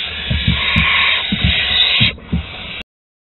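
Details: Barn owl chicks at their nest in Théding, 8 August 2020, during food deliveries, giving a long, continuous harsh hissing screech lasting almost three seconds over low, rhythmic thumping sounds before cutting off abruptly.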